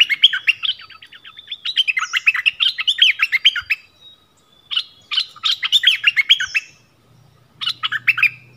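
Yellow-vented bulbul giving bursts of bubbly, chattering notes, rapid and jumbled, separated by short pauses; a faint low hum underneath near the end.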